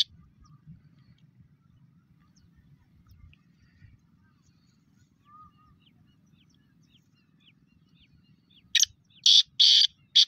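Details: Pet black francolin: after a long quiet stretch with faint, thin chirps, it bursts into a loud, harsh, grating call of about four rasping notes.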